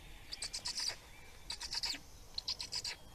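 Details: A brief moment of Black storks at feeding in Estonia, 17 May 2019: three quick bursts of rasping, rapidly pulsed high notes, roughly one burst a second.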